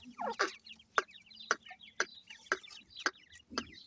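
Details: Captive-bred white Irani teetar francolin chicks giving rapid thin descending peeps in clusters, punctuated by loud sharp clicks repeated roughly every half second, with a faint steady low hum beneath.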